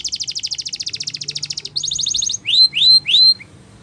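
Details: Canary song played for training: a fast rapid-pulsed trill of high notes, then a quicker buzzy roll, then three loud rising slurred whistles in a row.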